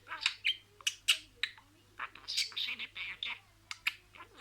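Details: Pet budgie speaking a string of words: clipped clicks and sharp squeaks alternate with longer murmured, speech-like phrases, in an irregular rhythm.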